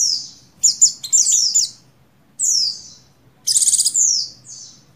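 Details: Female Oriental white-eye of the buxtoni form in breeding condition, calling the male: thin high descending chirps in a quick cluster, then a buzzy rattling trill running into a downslurred note, with a faint final chirp.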